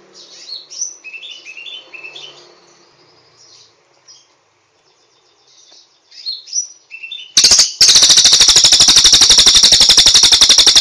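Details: Soft varied twittering and warbled phrases from a cililin over faint background hiss, then an abrupt loud, steady, rapid rattling trill for the final three seconds.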